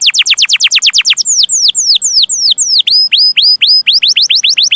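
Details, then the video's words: Canary singing long chirping phrases, offered as a master for young canaries: a quick run of falling sweeps, then slower, wider sweeping whistles and hooked rising-then-falling notes. "Kenari Gacor Cuit Cuit Panjang || sangat cocok buat masteran burung kenari paud"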